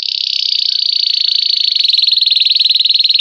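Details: Campainha (bell) song from a Belgian canary: one continuous high, fast trill of tightly packed notes held at nearly the same pitch, becoming slightly slower and more distinct toward the end.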